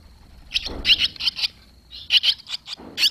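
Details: Barn swallow young leaving the nest on 21 July 2023, two days after the first fledged: clustered high twittering chirps in quick runs of three to five notes, pausing between bursts.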